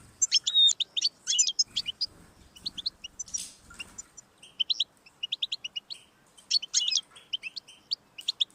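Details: Recording of a European goldfinch played to stimulate pet goldfinches to sing: a rapid, tinkling run of high twittering notes and liquid trills, broken by brief pauses, with no other clear sounds.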